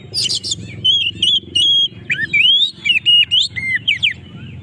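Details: Oriental magpie-robin singing to provoke rivals; a short harsh burst opens, then a string of clear whistled notes, some steady, some sweeping up or down, delivered at an uneven pace over low rumbling background.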